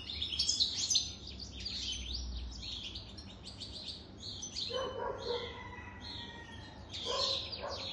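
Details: European goldfinch, a jadr over three years old, opens with liquid high twittering, then lower harmonic chirping notes repeat in the second half.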